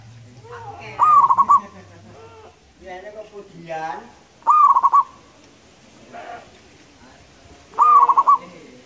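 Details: Local zebra dove (perkutut lokal), singing actively with a loud, long voice: three phrases, each a sharp rising note followed by a quick run of rolling, trilled coos, repeated about every three and a half seconds; voices and other tonal sounds in the gaps.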